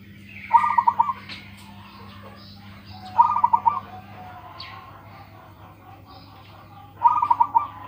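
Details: Local zebra dove with a big voice. Three bursts of fast, beaded cooing come at intervals of about three seconds, over a low hum and occasional chirps of other birds.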